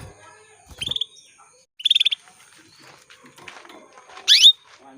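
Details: Female canary calling males, meant to get males singing quickly. Two short buzzy trills a second apart are followed by a loud, sweeping chirp.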